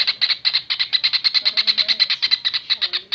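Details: Masteran recording of a kingfisher for training cage birds: steady, quick harsh chips, about six each second, strung into one unbroken rattling series.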